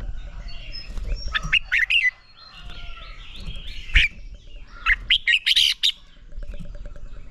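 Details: Red-whiskered bulbul training song for rousing birds to fighting song: two phrases of rapid, bright whistled notes about three seconds apart, with faint chatter and low background rumble.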